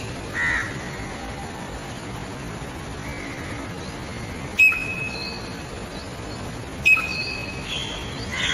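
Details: Greater racket-tailed drongo calling: two sharp, ringing metallic notes about two seconds apart, with faint short whistled notes between them over a steady background hiss.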